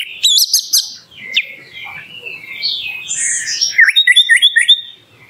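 An orange-headed thrush pours out a loud, varied morning song of rich whistles and buzzy phrases, ending in a quick run of sharp repeated notes.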